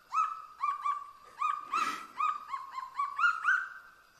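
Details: Endangered, almost flightless kagu on the forest floor of dense mountain forest in New Caledonia, birds greeting each other: a quick series of about ten clipped, rising-then-falling harmonic notes, some paired, over four seconds, with a brief rustling burst midway.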